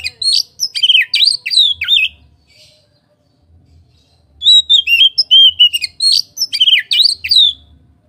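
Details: Oriental magpie-robin, a caged bird kept as a songbird, singing loud varied phrases of whistled and chirped notes in two bursts separated by a quiet pause of about two seconds, with faint low hum beneath.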